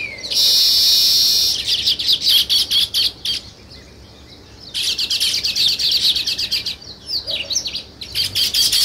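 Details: Sparrows chirping where weaver birds are building a nest: dense, buzzy high chatter in long bursts, a quieter gap in the middle, then rapid repeated chirps resuming.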